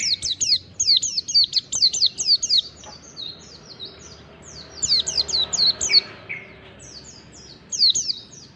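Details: Mountain white-eye in fast, chattering ngalas song, used as a lure. Dense runs of high, steeply falling whistled notes come in quick bursts, broken by a short quieter stretch midway, then resume.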